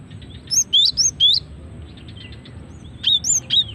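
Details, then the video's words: Female cinereous tit calls for luring and prompting song: bright high chirps that sweep upward, given in quick runs of four or five, then a pause and another run, over a faint low hum. "Suara asli gelatik betina untuk pikat dan pancingan"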